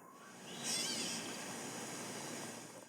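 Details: A Gray Catbird, filmed on 1 June in Greensboro, North Carolina, gives its main call: one harsh, nasal, cat-like mew lasting about half a second, the sound behind its name, over a steady background hiss.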